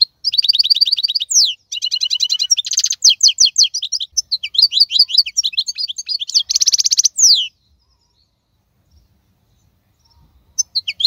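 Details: European goldfinch, wild-caught, hailed as the strongest of 2022, delivering about seven seconds of dense, tinkling twitter with buzzy trilled passages and down-slurred notes, then near silence with a few faint chips.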